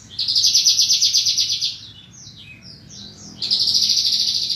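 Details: Bushlark training song: a loud, high, rapidly pulsing trill lasting over a second, a stretch of quieter jumbled chirps, then the same fast buzzing trill again.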